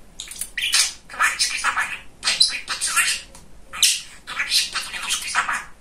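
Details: Very chatty male pet budgerigar talking: rapid bursts of raspy, buzzy mimicked speech syllables, tightly packed with short pauses, in a small indoor room.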